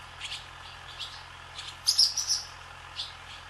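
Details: Barn swallows flying low over a farm's sky, giving bright, high chirps: a few scattered single notes, then a louder rapid twittering run of three or four notes, over faint background hiss.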